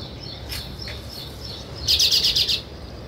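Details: Sparrow chirps near weaver birds at their nests: faint scattered tweets, then a loud, fast, rattling trill of about eight high chirps lasting under a second before quieting.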